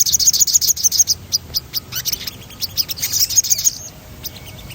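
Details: Sogon in full rolling song, played as a stimulation sound to prompt other birds to sing: rapid runs of sharp high chirps and ticks in quick bursts, then scattered lower notes, with faint low rumble underneath.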